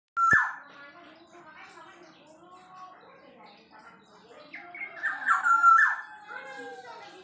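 A blue-winged leafbird gives a varied, chattering song of slurred whistles and buzzy notes, ending in bright, ringing whistles, all in a small indoor space.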